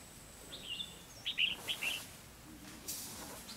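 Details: Red-whiskered bulbul lure bird singing to trap a rival, giving a quick run of three or four bright, slurred chirping notes, followed by a brief rustling noise.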